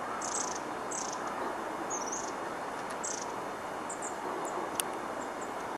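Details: Long-tailed tit at Lake Tanzawa, Japan, 16 March 2014, giving thin, very high calls about once a second with some short buzzy notes, over a steady rushing background like flowing water.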